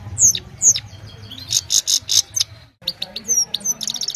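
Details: Himalayan goldfinch singing in the evening, mobile phone recording: a few clear downslurred whistles, then buzzy rasping notes and a fast twitter of high chirps, over faint low rumble.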